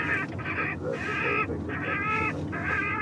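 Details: Rook call played back by an airport bird scarer to drive rooks off the runways: harsh, nasal, drawn-out caws, five in about three seconds, each roughly half a second long.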